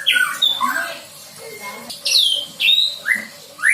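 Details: Recently fledged white-rumped shama rehearsing learned song phrases: separate loud whistled notes, several sweeping upward or downward, spaced by short pauses, over a faint background hiss.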